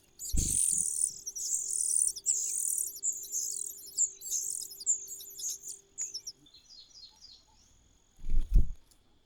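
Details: Cuckoo chick in a host nest begging in a near-continuous run of shrill hissing bursts. The bursts grow fainter and more broken and then stop. A heavy thump follows near the end.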